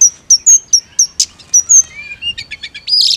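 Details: Mountain leafbird, therapy recording for a bird that only chirps: sharp high chip notes repeated about once every second, then a lower whistle and a quick run of chirps ending in a harsh note.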